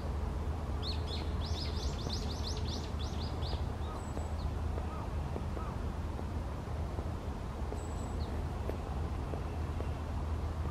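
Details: A Daurian Redstart in Higashitakane Forest Park, Japan, on 18 February 2023, gives a quick run of about eight thin, high notes, then a couple of faint whistled calls, over a steady low rumble of wind or distant traffic.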